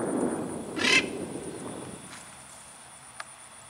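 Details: A lone military macaw in free flight gives one loud, harsh, broadband squawk lasting about a quarter second, followed by quiet outdoor background and a faint click near the end.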